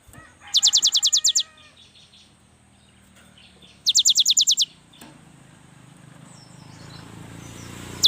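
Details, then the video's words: Young cinereous tit in full, lively song, used to prompt idle birds to sing: two fast high trills of about eight sharp notes each, a long pause between them, faint hum beneath. "inilah SUARA yang PALING DI SUKAI BURUNG GELATIK"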